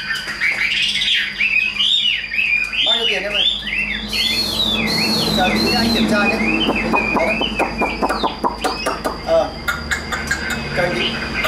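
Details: Hand-tame caged Chinese hwamei in full song, pouring out loud, varied whistled phrases that swoop up and down in quick succession, then breaking into rapid clicking and chipping notes, with a man's voice briefly audible in the background.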